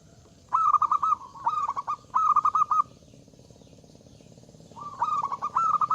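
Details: A zebra dove with a big voice, singing to draw rivals into song: three back-to-back bursts of fast, bubbling low coos, then a pause before another rolling phrase starts.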